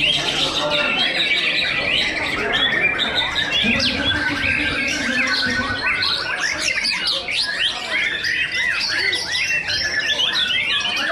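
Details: White-rumped shamas in a singing competition duel between first- and second-place birds: dense overlapping whistles, rapid trills and chattering phrases, high and continuous, with a brief lower warble near four seconds.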